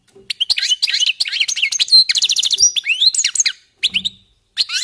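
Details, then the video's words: European goldfinches warming up with a continuous stream of tinkling chirps, slurred upward whistles and dry rattles, pausing briefly toward the end before starting again. "jilgueros calentando motores"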